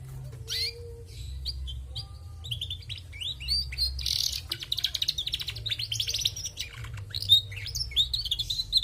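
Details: Female canary singing lively, starting with scattered chirps and building into a long rapid chattering trill mixed with buzzy warbles and bright high notes; low hum beneath.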